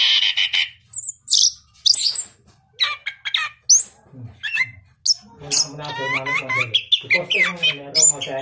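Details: Captive orange-headed thrush from a breeder in southern Malang, noted for a crystal-clear voice, singing a quick run of varied, sharp, high chirps and squawky notes, followed by a lower, voice-like harmonic passage near the end.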